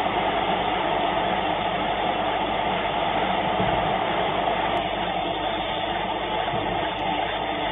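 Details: Steady, dense broadband rushing noise, like wind buffeting a microphone, fills the whole recording with no animal calls.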